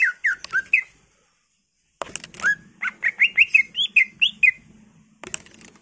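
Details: Greater green leafbird singing hard, a lure recording full of fill phrases: quick descending whistles, a pause, then a long run of looping upslurred notes over a faint low hum.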